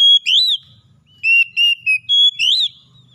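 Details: Oriental magpie-robin song used as therapy to bring a captive bird back into full song: clear, pure whistled notes, some steady and some slurred upward, in short bursts separated by brief pauses, with a faint low rumble beneath.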